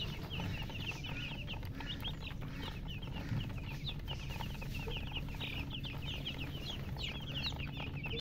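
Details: Baby chickens (chicks) peeping continuously: dense, overlapping short high chirps repeated several times per second, some rising and falling, over a steady low hum.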